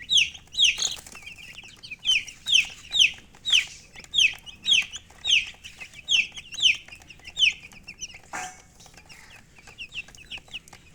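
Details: Chicken chirping in bold, high, downward-sweeping peeps repeated roughly twice a second, loud and evenly spaced at first, then fading into softer scattered cheeps after a brief rustle.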